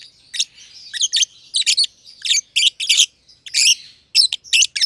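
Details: A green personata lovebird and its green pied companion kept in an aviary. Loud, raspy chirps come in clustered pairs and triplets, over a thin, continuous twitter.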